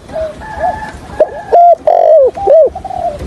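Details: Spotted dove kept as a trapping decoy, giving 'thổ hạp bổi' style calls and stuttering 'gù cà lăm' coos: quiet hooked notes, then loud, short, arched coos in a broken rhythm, with faint background hiss.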